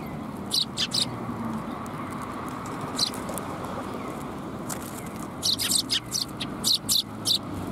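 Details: Several sparrows at a Tenmangu shrine on a January 2022 afternoon: short, bright, high chirps given singly and in quick clusters of two to four, about a dozen in all, over a steady low hum.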